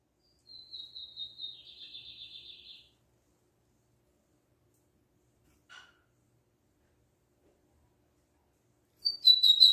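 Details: Lined seedeater (bigodinho) with Libanês-style song: a fairly soft phrase of high whistled notes merging into a buzzy trill, followed by silence, a single faint click, and a louder phrase starting at the end.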